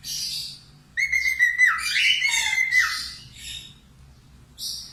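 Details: Budgerigar in lively song, intended to teach cockatiels: a short raspy burst, a brief silence, then a long wavering whistled line with scratchy overtones and a dip, trailing into softer chatter and a final high buzzy note.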